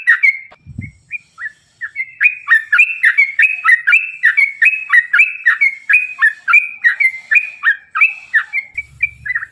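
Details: Energetic yellow-vented bulbul song, long and fast, used to lure other bulbuls into singing: a few hesitant notes, then a dense run of bubbly chirping phrases, with brief low knocks at start and end.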